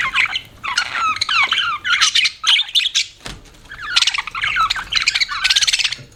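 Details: Budgerigars kept as pets chirp in rhythmic phrases of slurred, rising and falling whistles and buzzy chatter, separated by short gaps, with a soft thump midway.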